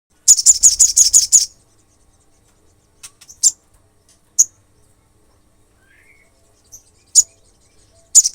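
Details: Olive-backed sunbird (sogon) in lively song meant to provoke rival sunbirds: a fast, very high, sharp trill of about ten notes over one second, then scattered thin high chirps separated by silence.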